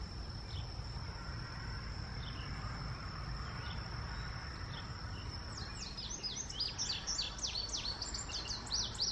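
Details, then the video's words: Indigo bunting, with a few faint scattered high chirps, then in the last three seconds a rapid tumbling run of high, sharply sweeping notes, some paired. A steady high insect drone and a low rumble run throughout. "Indigo Bunting ---sounds"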